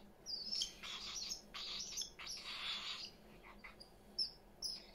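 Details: Parrots in a house crowded with them, making soft scratchy chatter and repeated rasping bursts interspersed with thin high chirps, at low volume.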